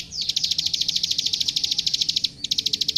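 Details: Klik klik, the plain prinia, in a recording made to train young songbirds: a sudden start into a fast series of piercing high clicks, a short pause, then the clicking resumes.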